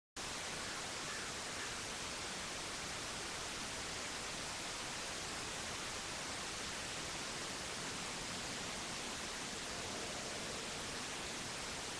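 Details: Steady broadband hiss like static or rushing water, with no animal voices heard.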